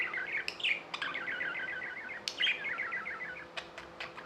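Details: Tame pet budgies giving a busy stream of quick chirps and trilled warbles, notes repeated in fast runs, with occasional sharp clicks and a low constant hum in the room.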